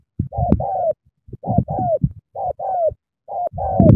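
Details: Spotted dove from Cà Mau calling eagerly: four doubled coos, each a short note followed by a longer falling one, with soft low thumps beneath.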